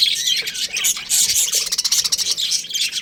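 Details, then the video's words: Chattering budgerigar colony, many birds at once making rapid scratchy chirps and buzzy squawks packed tightly together in a bright, unbroken wall of sound. "Cute Budgies Chirping Sounds"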